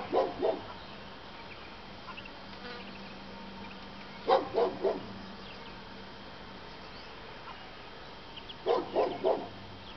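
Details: Duck walking with her three-day-old ducklings: short bursts of three to four quick, nasal quacks, repeated roughly every four seconds over a steady low background hum.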